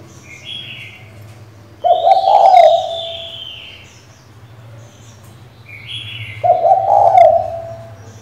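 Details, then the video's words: Cooing of a female spotted dove calling the male to excite a decoy bird: two low, throaty coo phrases about four and a half seconds apart, with faint high whistles from other birds between them. "Cu gái mái gáy, gù, thúc,... kích bổi cực hay, bổi mở mỏ ngay!"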